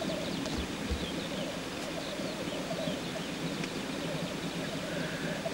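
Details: Black grouse cock displaying in courtship, giving an unbroken low, rolling bubbling murmur with a fainter lower hum beneath, a few distant high chirps, and a brief soft whistle near the end.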